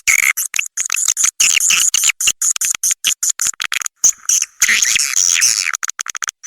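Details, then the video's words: Swiftlet calls used as a lure: shrill, buzzy twitters in quick broken bursts, with a thin steady high trill beneath and a longer warbling chatter near the end. "Suara walet gratis"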